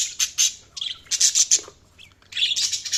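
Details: Budgerigar chatter of sharp, very high chirps in quick pairs and triplets, a small falling whistle between them, then a dense scratchy twittering run at the end.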